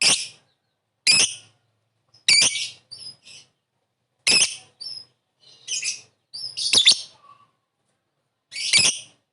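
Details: Lovebird calling with ngetik and ngekek sounds, meant to lure a quick response: loud harsh shrieks every second or two, interspersed with softer short chirps.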